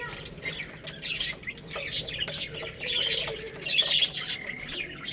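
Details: Little chicks eating rice, chirping in high, sharp peeps that come in loose bursts, several birds calling over one another.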